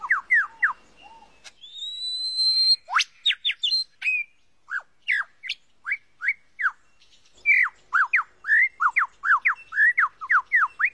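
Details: Lyrebird of Australian forests, famed for copying other sounds: a long rising whistle, then a string of varied sharp slurred notes and quick downward whistles repeated in bursts, fairly clean recording.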